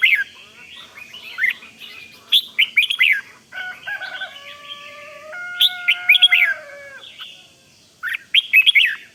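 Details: Caged red-whiskered bulbul from Thailand singing the rik style to excite other bulbuls: short bright chirpy phrases, broken by long steady level whistled tones in the middle.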